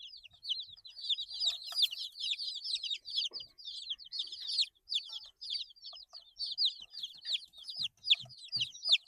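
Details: A brood of eight-day-old chicks chirps nonstop, many shrill, falling peeps overlapping in a busy chorus with faint clicks and scratching in the background.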